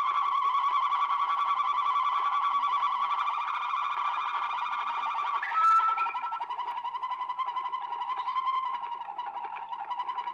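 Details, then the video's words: Waterslager canary on an old record from Belgium: continuous low bubbling rolls, a sharp brief whistle midway, then softer rippling water-like phrases. "Old Canary Waterslager Song - カナリアの鳴き声"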